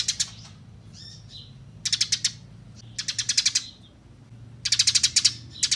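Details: Eurasian tree sparrow delivering a fierce rolling 'ngeroll' masteran song: clusters of quick, piercing chirps in rattling bursts separated by brief pauses, with a few softer warbled notes between.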